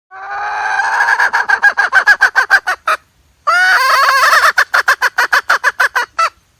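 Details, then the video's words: Hen calling, recorded for use as a trapping lure: a drawn-out harmonic cry that breaks into fast, evenly pulsed clucking notes, a short pause, then a second loud run of rapid clipped notes. "suab poj qaib seev zoo cuab mp3"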